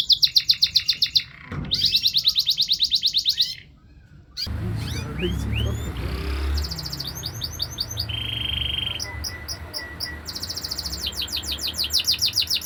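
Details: Canary trilling in rapid high rolls, broken by a pause and a stretch of louder low background noise, then resuming with short trills and a held whistled note.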